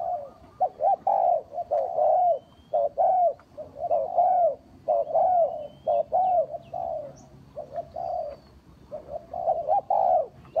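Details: Spotted dove calling as a lure for bird trapping: soft, mellow, rounded coos delivered in short phrases of two to three notes, repeated steadily for ten seconds, with faint thin notes of other birds behind.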